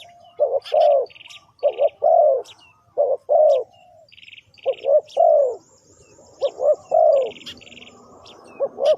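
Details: A spotted dove coos, a recording meant to lure wild birds. Steady sequences of low, hollow notes are paired short then long. Brief buzzy bursts and high chirps from other creatures are scattered between the phrases.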